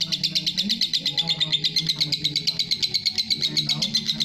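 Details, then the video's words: Lovebird chattering in long ngekek style, fast repeated shrill chirps in an even rhythm of roughly three per second. "love bird masteran ngekek panjang"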